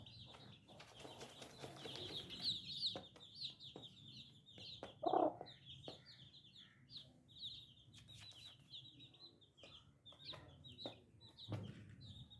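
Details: Baby chickens chirp continuously, their thin high peeps falling in pitch and tumbling over each other. A brief louder lower cluck-like note cuts in near the middle, and scattered taps sound throughout.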